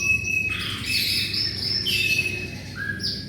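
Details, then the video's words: Brief burst of canary song from a recording made to train shamas. A wavering, buzzy trill slides up and down, followed by a short, clear, lower whistle and a high chirp. "SUARA BURUNG KENARI GACOR"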